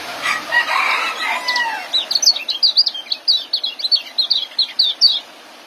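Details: Young white-eye singing in the ngeriwik and joss style, used for training caged birds. A noisy start gives way to a rapid run of high, thin chirps and twitters, steadily repeated for about three seconds.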